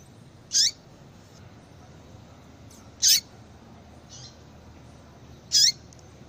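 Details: Female Yellow-bellied Seedeater calling to get a male into breeding condition; three brief, piercing high chips, evenly spaced about every two and a half seconds, with softer faint notes in between.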